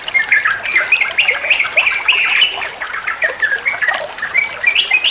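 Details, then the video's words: Bulbul (trucuan) song used as a training recording for other songbirds: dense, chattering run of short whistled and squeaky notes around a steady mid-high pitch, many phrases overlapping without pause. "Masteran trucuan muantaaap, (burung trucuan anda pasti nyaut)"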